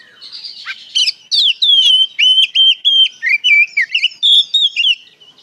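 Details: Continuous 'ngeplong gacor' song of an Oriental magpie-robin, played to make other magpie-robins reply: a steady string of loud whistled notes and quick slurs, about three to four per second, with little pause.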